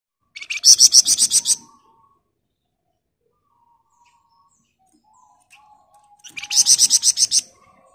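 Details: Flamboyan bird singing in the fast, tight 'ngebren rapat' style used as a master recording for training other birds: two bursts of rapid high, buzzy repeated notes, each about a second long, separated by quiet with faint low tones.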